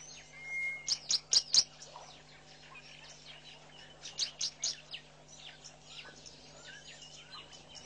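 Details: Southern masked weavers busy building and lining their nest at a waterhole in Mashatu Game Reserve, Botswana, in February: fast, high, scratchy chattering in two bursts of sharp ticking notes amid a dense wash of faint twitters.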